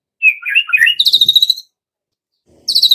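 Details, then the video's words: White-rumped shama singing a lure song meant to spur young forest birds into full song. A rich warbled opening runs into a rapid, harsh, rattling trill of about a dozen notes, then another trill starts. "Pancingan Murai Batu MUDA HUTAN dan PASTOL agar GACOR NGEPLONG"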